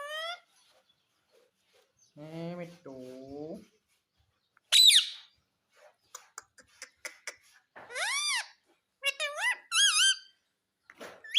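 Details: Pet Indian ringneck parakeet, said to speak the words mummy and papa, giving a mix of high harmonic rising-and-falling calls, a lower nasal two-part phrase, and scattered clicks, with quiet gaps between.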